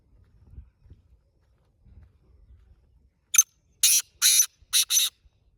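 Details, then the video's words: Black francolin giving its call on a road. Faint low rumbling comes first, then a burst of five loud, rasping, buzzy notes delivered quickly over about two seconds. "کالا تیتر ہاتھ میں آواز دے رہا ہے روڈ پر | Black Francolin Calling on Road"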